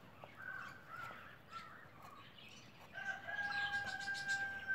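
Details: Emu chick on its first day after hatching: soft, wavering whistled notes in the first half, then a long, steady, clear whistle with a fainter lower tone beneath it, over light background hiss.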